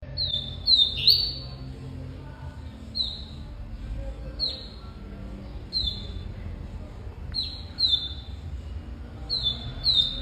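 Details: Double-collared seedeater song in the style called cortado: short whistled notes with sharp downward sweeps, given in clusters of two or three every one to two seconds, over a low steady background hum.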